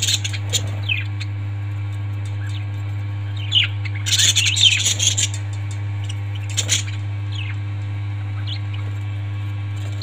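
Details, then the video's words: Mostly quiet parrot calling with isolated high chirps and one dense burst of squawky chatter around the fourth second, then sparse tweets, all over a persistent low hum. "Parrots 🐦 Sound"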